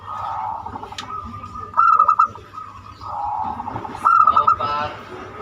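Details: Unique banyumili song of a zebra dove, used to draw other doves into singing: two fast runs of pulsed cooing notes about two seconds apart, over softer cooing and low hum.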